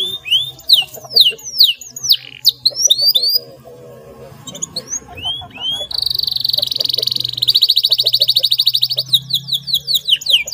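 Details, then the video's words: Canary song meant to stimulate mute canaries to sing: bouts of falling whistled slurs, a quieter gap, then a long buzzy rapid trill followed by more sweeping whistles, with a low steady hum throughout. "SUARA KENARI GACOR NGEROLL JERNIH INI TERBUKTI DAPAT MERANGSANG BUNYI KENARI BISU"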